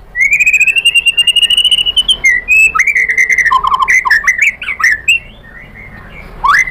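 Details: White-rumped shama song for luring birds into singing: one long steadily rising whistle, then a rapid jumble of varied whistles, warbles and slurred notes, and a last upward-sweeping whistle.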